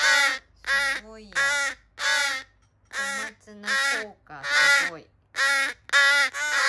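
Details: Young rescued crows, some with disabilities, clamour loudly in July 2020, a string of rasping drawn-out caws overlapping from several birds, nearly one every half second, with brief quieter pauses.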